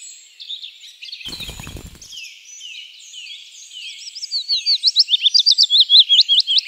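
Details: A willow warbler (Phylloscopus trochilus) sings a high, sweet phrase of quick whistled notes that grow louder toward the end.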